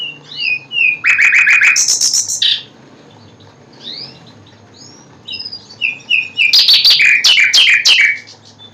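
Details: Common nightingale singing: rich, varied phrases with sweeping whistles, dense rattling trills and buzzy, high notes, delivered in two loud bursts separated by a short pause, over a faint low hum.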